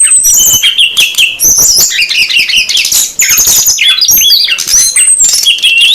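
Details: SRDC birds, both sexes, calling as a lure to attract wild birds: continuous, high, busy twittering with swooping whistles and sharp chips throughout.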